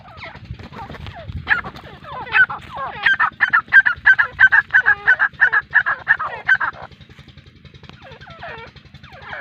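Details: Grey francolin (teetar) in Pakistan: a long run of loud, ringing notes repeated about three times a second that build steadily and then stop, followed by a few fainter notes.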